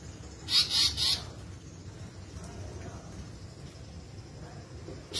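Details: ['Grey-backed fantail giving a fast group of three high, sharp notes early on, with another note starting at the very end, against constant low-pitched rumbling noise.']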